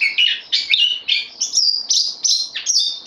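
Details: Recently arrived bulbul, on loan, 12 September 2020: short rich phrases of mixed whistles, some rising, some dropping, with small gaps between them.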